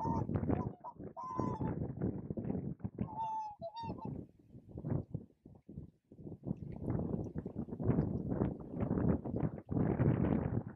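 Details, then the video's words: Whooper swans (Cygnus cygnus) at Spiggie, Shetland, UK, in July 2013 give a few loud, trumpeting honks, then a rough, breathy jumble of sound with wind-like noise takes over. "Cygne chanteur (Cygnus cygnus) Whooper Swan"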